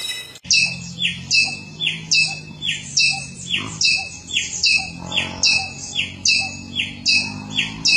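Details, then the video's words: Samyong bird singing in the forest: a steady series of loud, high, buzzy double notes repeated about once a second over a low background hum, after a sharp click at the start. "suara burung samyong dihutan sungguh indah"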